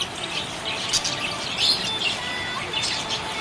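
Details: Happy budgerigar chirping: a steady stream of high, scratchy chirps and short squeaky notes, with brighter bursts near one and a half and three seconds over a faint steady hiss.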